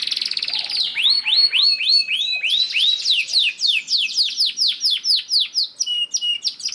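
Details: Lure song of a canary, played to make other canaries start singing, built from rapid swooping whistled arcs repeated about four per second, closing with short clipped high notes.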